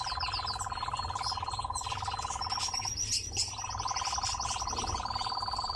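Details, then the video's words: Song of a nightjar held in captivity: a fast, pulsing churr that stops just before three seconds and then restarts. It is overlaid by thin high whistled notes and quick chirps from other birds. "Пение и танец козодоя"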